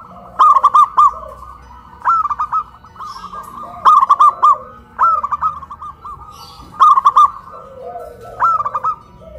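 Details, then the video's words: Hoisted caged zebra doves in Kuningan, West Java, cooing in a duet of a big-voiced and a crystal-voiced local bird; six phrases of a trilled opening note plus three or four short coos, alternating with quieter answering coos. "PERKUTUT LOKAL SUARA BESAR VS SUARA KRISTAL"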